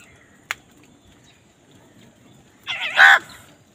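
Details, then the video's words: Crow competing with wild birds for food gives a single loud, rasping caw after a sharp click, over quiet background hiss. "কাকের ডাক Wild birds fight with crows for food | Crow Sound Crows fight with birds for food"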